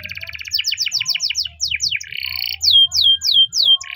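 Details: A Spanish timbrado canary sings a morning training song, moving from rapid chirped notes into a short buzzy roll, then five clear, loud descending whistles spaced evenly; soft low rumble behind.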